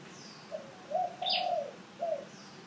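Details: Single spotted dove phrase: a short low coo, a longer drawn-out crooning note, then a clipped final coo, against a soft background hiss.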